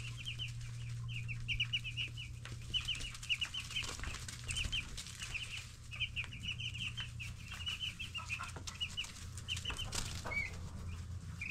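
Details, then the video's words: Ten-day-old broiler chicks in a brooding setup give rapid high peeping chirps in dense overlapping bursts, with a steady low hum and scattered clicks and scratching beneath. "Look How Much They've Grown! 10 Days Old Baby Chicks"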